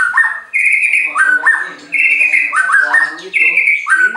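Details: White-rumped shama from a bird farm in Anyer, Banten, Indonesia, a song said to make rival birds react at once: a loud, rich phrase of sliding whistles with a high sustained note, repeated about every 1.4 seconds.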